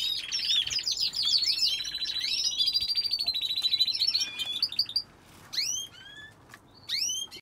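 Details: A canary in an aviary sings a fast, rolling run of high warbles and trills for about five seconds, then gives a few sharp rising chirps.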